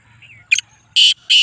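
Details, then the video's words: Black francolin, Speeder chakri-wala type: a short harsh note, then two loud rasping blasts in quick succession, with a faint bird whistle just before. "Speeder Kala Teetar Chakri Wala Teetar Kala Teetar ki Awaz"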